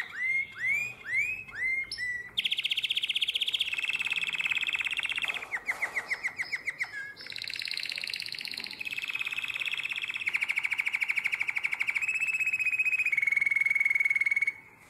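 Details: Canary singing in the nightingale-voiced style, Drama, 2017: looping whistles give way to rapid rolls at changing pitches. A deep pulsed chatter follows, then a bright sustained high trill that fades out.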